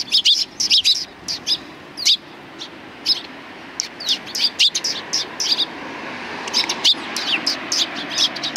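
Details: Flock of sparrows arriving for food at a Tenmangu shrine approach on 24 April 2020, giving scattered high chirps, clustered at the start and again near the end, over a quiet hum.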